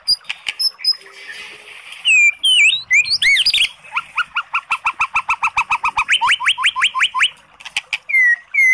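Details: White-rumped shama song played to provoke a sluggish bird to reply: a few swooping whistles and a jumbled flourish, then a long rapid series of repeated upward-flicked notes, ending on two falling whistles.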